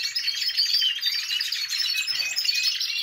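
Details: Several caged canaries singing together in a large aviary during the rest period after moult, before breeding season; dense overlapping high warbles, trills and chattering notes run continuously without pause, filling the whole stretch.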